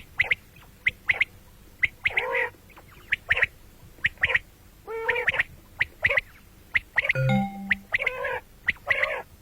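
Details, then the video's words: Common quail calling morning and night: sharp clipped notes in rapid twos and threes, interleaved with longer nasal, buzzy calls, plus a brief low thump near the end. "бедана batair ki awaz quil sound beautiful morning and night بٹیروں کی سپیشل زبردست آواز صبح رات"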